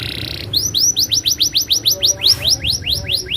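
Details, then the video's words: Canary in rolling song: a fast series of rising, whistled sweeps repeated about twice a second, preceded by a brief steady tone, with a low hum underneath. "suara burung kenari ngerolll super gacor"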